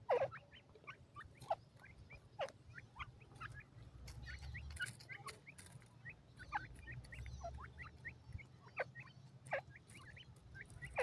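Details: Female Indian francolin chattering: many quick, rising chirped notes spread irregularly across the recording, some louder accents, over a constant low hum.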